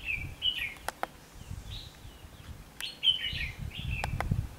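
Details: Red-whiskered bulbul singing during trapping in Vietnam on 19 November 2015: a few short slurred whistled phrases with sharp clicks in between and a rough low background rumble.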